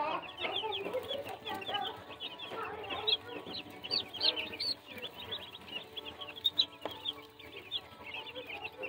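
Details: Chorus of baby chicks, many high cheeping peeps overlapping without pause, with lower chatter and a background hum.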